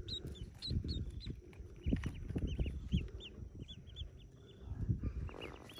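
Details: Ducklings hatching, about forty yellow chicks in a cave nest; clusters of high, short peeps come in bursts, mixed with low knocking and rumbling sounds.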